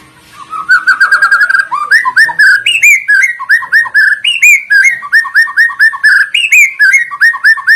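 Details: White-rumped shama song used as a lure to get other shamas and birds singing: clear whistled notes, some slurred upward, in quick repeated two- to four-note phrases that step between lower and higher pitches, with no other sounds.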